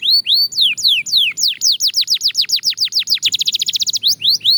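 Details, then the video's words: Belgian canary in daily singing practice, loud and fast: arched whistled notes falling in pitch, repeated about four times a second, speeding into a dense rapid trill before slower arched whistles return. "Shocking Canary Singing Progress"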